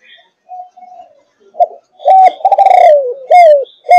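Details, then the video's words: Spotted dove, Malaysian thúc gù line, 5.5 months old: faint soft notes lead into a loud stuttering coo that falls away, then a sharp arched coo and another starting at the end. "Cu Gáy Malaysia Dòng Thúc Gù 5,5 Tháng Tuổi"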